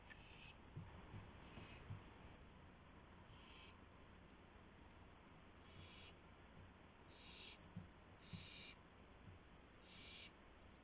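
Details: Owl at the nest with prey, a gopher, at 1:00 AM on 24 March 2016; seven short raspy hiss-screeches repeated every one to two seconds, with faint knocks and steady hum behind.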